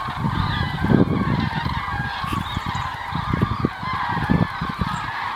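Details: Flock of common cranes heading south on 9 November 2014 at the start of winter; overlapping rolling, honking trumpet calls continue over strong gusty wind rumble and buffeting noise.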